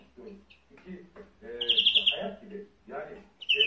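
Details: European greenfinch (Carduelis chloris) song: a short, bright trilled twitter, twice, against low murmuring that sounds like a voice in the background.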